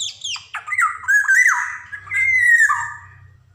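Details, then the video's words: Black-naped oriole, an energetic singer used to stimulate young birds to sing: a long, harsh, rasping nasal call, wavering and sliding downward twice, over faint low hum. "SUARA PANCINGAN KEPODANG JAWA | kicauan kepoxang emas gacor cocok buat merangsang kepodang bahan"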